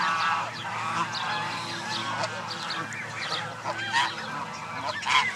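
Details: Many Canada goose families and their goslings assembled at a park lake in late May 2014. A busy mix of chirping, zigzagging calls runs throughout, with a few sharper honk-like notes rising near the end.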